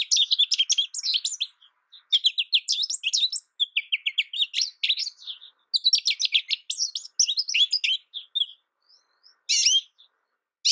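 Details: American goldfinch singing in several bursts of quick, high twittering and slurred warbles with short pauses between, thinning toward the end with a few isolated sharp notes.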